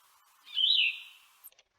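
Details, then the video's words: Yellow-throated Vireo, noted as raspier than the Red-eyed Vireo: a single hoarse, slurred phrase lasting under a second, followed by a couple of faint high ticks. "So first, that raspier yellow-throated vireo."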